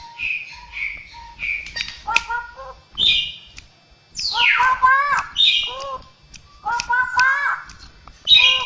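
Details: Straw-headed bulbul (cucakrowo) singing mimicry of other birds, cats and humans; short whistled notes, then a sweeping downward slur and a run of rapid harmonic chirps, with quiet background between phrases.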